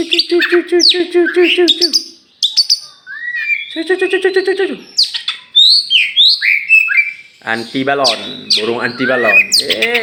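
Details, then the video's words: Tame champion kacer, an oriental magpie-robin from Meulaboh, Aceh, released freely before caging: long varied song mixing harsh buzzy harmonic notes, clipped chips and fast downslurred whistles in bursts, with brief pauses between phrases. "kacer juara"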